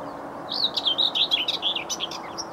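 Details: Common whitethroat (Curruca communis) singing at 6:30am on an overcast morning, 27 April 2020, beside a railway line in Bedfordshire: a quick, scratchy, jumbled warble of buzzy high notes lasting about two seconds, over a faint low hum.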